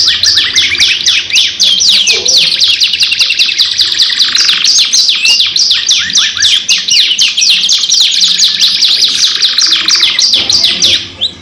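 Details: Canary singing a long 2-in-1 lure song: an unbroken rapid series of high, sharp descending notes with rolling trill passages, loud throughout, fading only at the end.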